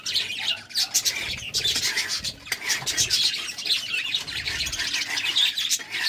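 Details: Courting budgerigars produce a dense, nonstop scratchy warble mixed with quick clicks and buzzy chirps throughout.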